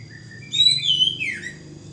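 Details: Oriental magpie-robin singing vigorously: a soft low whistle leads into loud, clear, high whistled notes that hold steady, then slide downward in a bright falling sweep, all over a quiet background.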